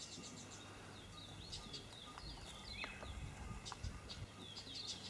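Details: A one-legged Glossy Starling gives short, bright chirps and downslurred whistles in scattered bursts, with other chirping birds and a steady low background rumble.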